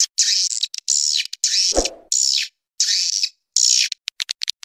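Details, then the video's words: Swiftlet lure call played to attract swiftlets. Long buzzy, chattering bursts repeat with short gaps, then a run of rapid dry clicks at the end; one low thump sounds near the middle. "SUARA PANGGIL WALET ANTI GALAU"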